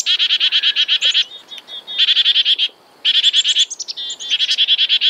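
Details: Black-capped chickadee calling with quick, loud, buzzy note trains in three bursts, with a few higher thin whistled notes between them.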